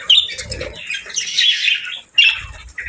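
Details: Happy pet budgerigars chirping: scratchy, squawky warbles with high harsh notes in bursts, a short pause near the middle, then another rasping burst, with faint low thumps beneath.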